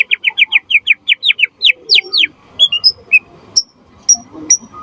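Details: A vigorous white-rumped shama sings to provoke other shamas and act as a master song. About a dozen sharp down-slurred notes come in steady quick succession, followed by sparse high whistled pips.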